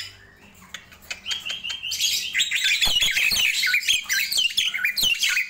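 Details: Morning song of a Nias hill myna: a few soft whistled notes, then a loud stream of ringing, wavering whistles and harsh squawks that fades slightly at the end.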